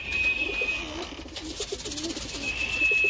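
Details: Loft pigeons in Pensacola, Florida, at midday give low, soft coos in quick runs against a steady high-pitched hum and background hiss.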